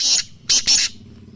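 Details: Young Black francolin chick, kept as a caged bird, calling: three short harsh high bursts, the first alone and the last two close together, with a low hum underneath.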